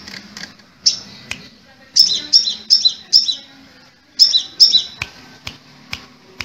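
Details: Crimson sunbird, locally called kolibri merah or sepah raja, singing sharp, high, bright chips in quick clusters of two to five notes, with brief pauses and faint soft clicks between.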